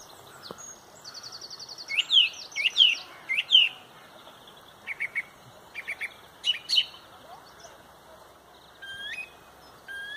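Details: Loud sunrise song from a song thrush in the Pontrobert dawn chorus: sharp whistled notes repeated in groups, paired clipped notes, and rising slurs, with a high rattling trill from another bird.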